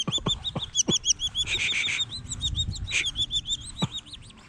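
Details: Collared falconet in hunting training to learn killing: fast run of high, sharp arched calls with a loud harsh burst midway and several dull thumps or clicks underneath.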